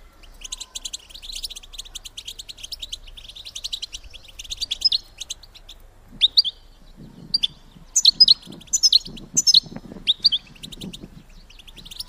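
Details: ['European goldfinch female calls, played to rouse males to mate: steady high twittering at first, then separate loud chirped phrases with short pauses over faint low rustling.']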